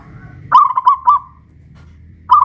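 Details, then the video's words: Local West Javan Pajajaran zebra dove singing loudly after being hoisted in its cage: one rapid, stuttering cooing phrase ending in a sustained note, then another phrase starting as the recording ends, over low background rumble. "Perkutut lokal pajajaran jawa barat gacor rajin bunyi"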